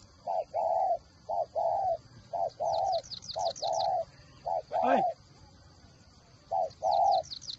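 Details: Spotted dove kept as a decoy bird, prized for its 'còi' voice, gives rhythmic cooing phrases of low, hollow, even notes in short groups, repeated steadily, with thin high chirps and a constant high whine behind.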